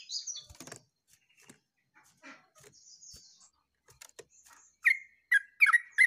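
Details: Yellow-vented bulbul in full song, recorded 29/08/24. Scattered faint chips and a brief high trill give way to four or five loud, rich, bubbling notes near the end.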